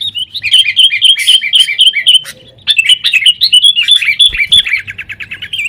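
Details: Lively sooty-headed bulbul fighting-style song used to prompt caged birds; quick bouncing two-pitched chirps repeat steadily, with a brief pause near the middle.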